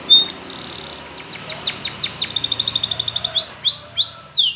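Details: High, ringing training song of a Spanish Timbrado canary for teaching a silent canary: a held whistle, a string of downward swoops, a fast metallic roll, then rising and falling slurred whistles.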